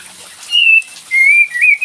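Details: Brief lure of a cream-vented bulbul: a level whistle, a short gap, then a longer whistle gliding upward into a final rising note, over faint hiss.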